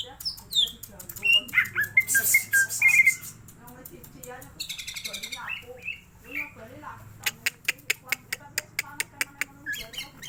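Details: Greater green leafbird song used to stir up the bird's emotion: loud varied whistles and slurred notes early on, softer chatter, then a steady series of sharp ticking notes toward the end.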